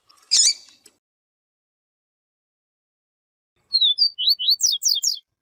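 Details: Yellow-bellied seedeater (papa-capim siu siu) kept for training, a 'professor' teacher bird heard with a female calling to warm up males. A brief harsh chirp opens, then after silence a fast high phrase of slurred, rising whistled notes.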